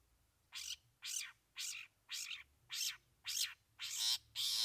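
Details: Long-tailed Shrike singing mimicked fillings over a base song: a series of seven loud, harsh, rasping screeches, roughly two each second, growing stronger toward the end.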